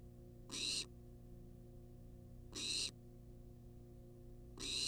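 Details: Rasping hunger screeches from a wild barn owl in a nest box on live cam, three bursts about two seconds apart, each short and hoarse, steady low hum in the background.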